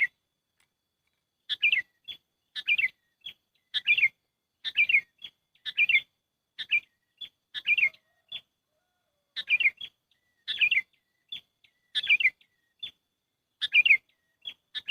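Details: Sooty-headed bulbul trapping lure: a steady series of chirpy, warbled whistle phrases about once per second, each trailed by a short high clipped note, heard against a quiet background.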